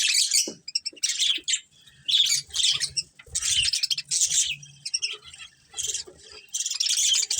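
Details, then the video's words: Budgie breeding pair within a colony, giving separate bursts of harsh high chirps and squawky chatter, broken by short silent gaps. "Cute Budgies Chirping Sounds"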